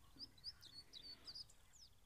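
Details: Male bluethroat singing on a willow branch by a pond during nesting while the female builds the nest: a quick run of high, thin whistles and sharp chirps, brief and varied, mimicking other birds, over faint background hiss.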